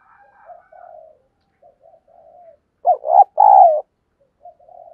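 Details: Caged lure dove: soft, quiet cooing fragments build into a loud burst of deep, hollow coo notes, then trail off into soft murmurs.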